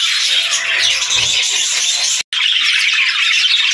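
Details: Several budgies chatter and warble in a steady mass of squeaky, scratchy chirps, broken by one sudden brief silence partway through before the flock noise resumes.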